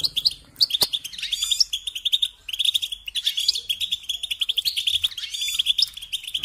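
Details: European goldfinch singing, from a guide on caring for goldfinches: rapid liquid twittering with bright tinkling notes and short buzzy trills, nearly continuous with a brief pause near two and a half seconds.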